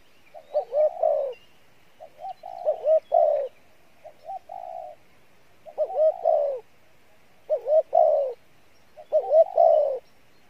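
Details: Spotted dove coo phrases in the Pha Bài Lối style. Each starts with quick wavering, rising notes and ends in a longer hollow coo. The phrases recur roughly every one and a half seconds, with softer interludes, in a quiet setting.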